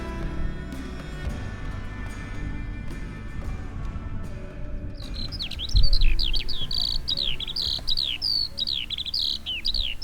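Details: A Eurasian Skylark, identified by a viewer, in the Scottish Borders pours out a rapid, continuous stream of high chirps and trills over a low rumble of wind or engine noise.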